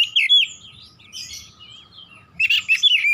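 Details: Oriental magpie-robin in energetic 'gacor nembak' song, loud sharp whistled bursts opening and closing the stretch, with a softer twittering run and brief lull between them.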